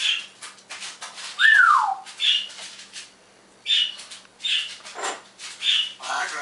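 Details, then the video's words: Happy pet parrot mimicking sounds in the morning, copying an iPhone, Pacman and Star Trek, singing like a canary and saying words; a clear falling whistle amid bursts of harsh squawks and clicks in a small room. "Noah Does Sound Effects"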